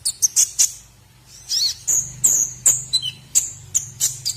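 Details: White-rumped shama, training song for other birds to copy: a few quick high chips, a pause, then a sequence of clear, thin whistles and short descending slurs spaced about a third of a second apart.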